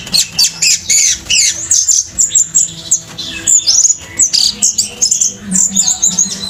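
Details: Orange-headed thrush pouring out an intense song with opened tail: rich, varied high whistles, squeaky slurs and rapid chip runs in short bursts separated by brief pauses.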